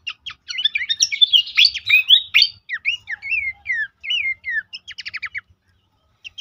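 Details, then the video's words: Horsfield's babbler song used to prompt caged birds to sing: opening jumble of chattering notes, then clearer rising-and-falling whistled slurs and a short rattling trill before trailing off. "terapi pancingan dan masteran burung pelanduk semak bikin aktif rajin bunyi"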